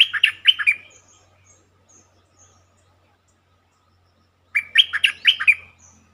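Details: Lure recording of a bulbul, played to stir birds up. Two lively phrases of five or six chortling, warbled notes about four seconds apart, with faint, thin high chips in between.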